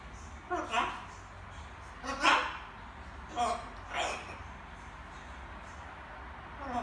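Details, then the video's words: Small captive macaw babbling in the evening while rehearsing words: speech-like, harsh syllables in an irregular sequence of about five bursts, indoors and otherwise quiet. "Wieczorne gaworzenie małej papużki :), Charlie papuga Ara ćwiczy sobie różne słówka"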